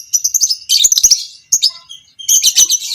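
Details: Short stretch of long 'ngekek' chatter from a fighter lovebird of the creamino variety, meant to train other lovebirds; rapid piercing twitters run together in two dense bursts split by a brief pause.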